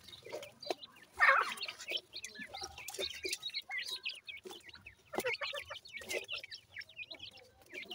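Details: Grey francolin chicks from a Punjab breeding stock keep up a steady stream of short high peeps. One louder squeaky burst stands out early, and occasional clicks and taps sound in between.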